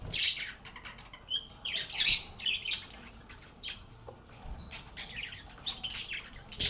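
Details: Budgerigars singing, playing and chatting: a busy flock of high twittering chirps and squawks, with a loud harsh burst near the middle and steady overlapping chatter afterward.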